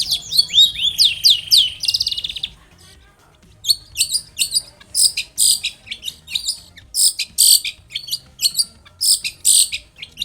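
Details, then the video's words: Prolific long-tailed shrike song for prompting shrikes to sing: an opening rush of slurred, downslurred whistles and a fast trill, then a long series of harsh high chattering bursts. "SUARA cendet gacor INI AMPUH untuk pancingan agar cendet bunyi JADIKAN burung cendet NYAUT SEKETIKA."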